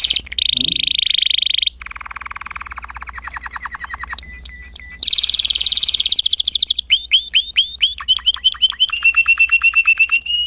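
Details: Domestic canary singing loudly and continuously: a long varied song of fast buzzy trills, rapid pulsed rattles, sharp high notes and a run of repeated down-slurred whistles, with a faint low hum underneath.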